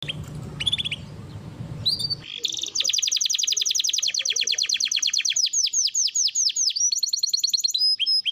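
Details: ['Recording of a singing canary used to coax young canaries into song: a few soft chirps over low rumble, then a loud sustained trill of rapid bright notes giving way to slurred descending notes and brief whistles.']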